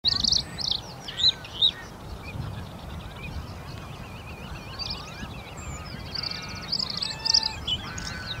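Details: A Bluethroat in Uitkerkse Polder, Belgium, in April sings a varied, fast run of sharp metallic notes, buzzy trills and clear whistles, with louder bursts every second or so over a low steady rumble.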